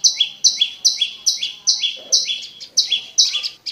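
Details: Crisp prinia song meant to draw out a silent caged bird: alternating high and lower chirps, each sliding down, repeated about every 0.4 seconds with a faint soft rustle midway.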